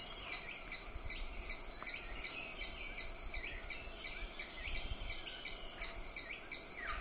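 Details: Pollen's Vanga in Ranomafana National Park, Madagascar, calls in a steady run of short, high, ringing notes, about three a second, with softer chattering from other birds behind.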